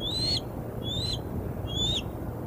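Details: Bald eagle at the Decorah north nest on 17 April 2021. It gives three thin, high whistled notes, each rising slightly and lasting under half a second, about seven tenths of a second apart, over faint low background rumble.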